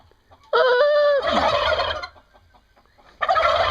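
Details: Turkey gobbling: a steady, clear, nasal opening note leads into a harsh rattling gobble of about a second, followed by quiet and then another burst starting near the end.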